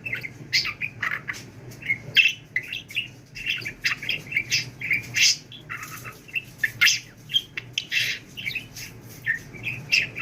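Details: Pet budgerigar in talk training chattering for a long run: dense buzzy babble, squeaks and clicks packed tightly together with barely a break.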